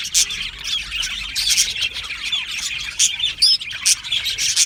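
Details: Captive budgie colony in an aviary, high chirps and warbles over a chattering background, with several louder sharp bursts and one clear upward-sweeping whistled note.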